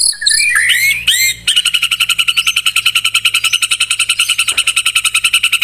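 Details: Lure recording of white-rumped shama song to make a pet bird sing: a few rich slurred whistles open, then a long rapid rattling trill of even repeated notes.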